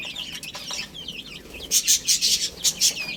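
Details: Young chicks pecking at spinach give quick, high, bent peeps, then a run of loud, clicky pecking taps about four times a second while the chirping continues.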